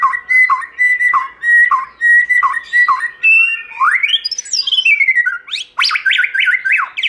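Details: White-rumped shama performing forest-voice song: a series of repeated whistles with dipping slurs, then a surging climb into fast, varied, sliding whistled phrases.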